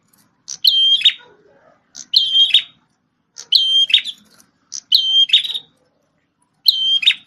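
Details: Prinia, a singing bird described as red-headed, probably a visiting wild individual, giving loud repeated phrases of sharp high whistles and buzzy trills about every 1.4 seconds, each phrase opening with a short note; quiet background.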